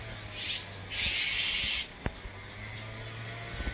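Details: Bull-headed Shrike mother guarding her six chicks at a nest in a persimmon tree at a farm home in Geumsan, South Chungcheong, Korea, recorded by smartphone; two harsh hissing rasps, one short, one about a second long, then quiet with a low hum.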